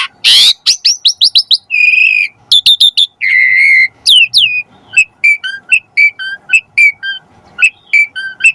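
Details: Training song of the Asian pied starling: a harsh opening rasp, then a rapid series of clear whistled notes, some long and steady, ending in short repeated whistles about once a second.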